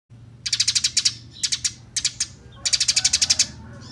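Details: Eurasian tree sparrow singing in a fighting, rolling style: rapid series of sharp, high chirps delivered in four bursts, each of about three to nine notes, over a faint low hum.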